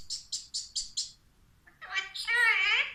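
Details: Caged Alexandrine parakeet said to be talking: five quick, high chirps in an even row, a short pause, then a longer, harsh, rasping vocal phrase layered with bands of tone and rising slightly at the end.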